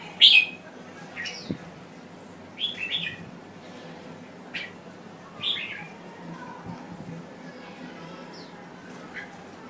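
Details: Red-whiskered bulbul of Thai stock singing: a loud opening whistled note, then a series of shorter, softer whistled phrases spaced a second or two apart, fading toward the end, with faint background hum.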